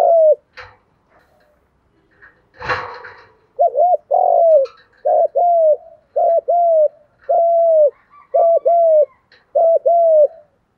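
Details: Male and female spotted doves calling to rouse training birds into contest cooing: a thump and scattered soft notes, then a steady run of paired low coos, short then long, about once a second.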